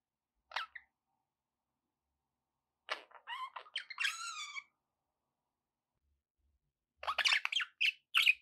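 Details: Pet budgerigar calls to encourage a parrot to eat and sing; sparse calls separated by silence, including a harmonic squeaky note near four seconds and a burst of chirps after seven seconds.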